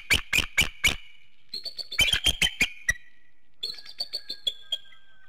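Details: Bald eagles at their nest in Hanover, Pennsylvania, waking at 7:06 in the morning under an infrared camera: rapid bursts of sharp, high, piercing chattering notes, a second quick run, then softer trailing piping notes.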